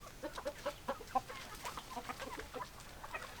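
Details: Chickens, hens and roosters together, a dense flock chatter of short clucking notes overlapping at a rapid pace, with no clear crow standing out.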